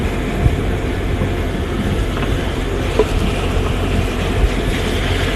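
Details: Loud low-pitched vehicle rumble with rattling and wind noise, and no animal voices.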